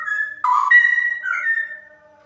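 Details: Female straw-headed bulbul singing: clear, rich whistled notes, a steady tone, a lower mellow burst, then sustained whistles ending in a slight rise before fading.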